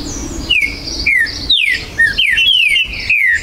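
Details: Green-winged saltator from a breeder's aviary, recorded 19 September 2020, territorial song: repeated clear whistles falling in pitch, some overlapping, against a steady backdrop of high chirps from other birds.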